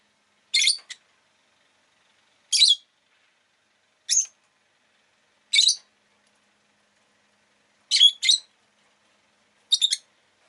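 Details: Rosy-faced lovebird repeating short, harsh, high-pitched chirps roughly every one and a half to two seconds, some calls doubled, against a quiet, clean background.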